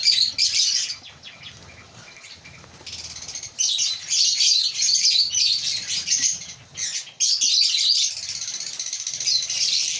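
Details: Breeding colony of African lovebirds giving near-continuous shrill, squeaky chatter in waves, with brief quiet gaps around the third and seventh seconds.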